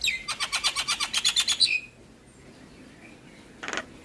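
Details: Javan myna singing, used to coax quiet mynas into song: a rapid, even burst of about a dozen rasping chattering notes lasting under two seconds, then near silence and two short noisy bursts.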